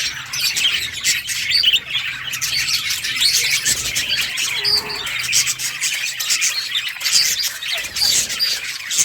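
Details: A group of budgies playing, recorded on August 25, 2023: dense, continuous chatter of high chirps, squeaks and warbles from many birds at once, with a brief low coo-like note in the middle.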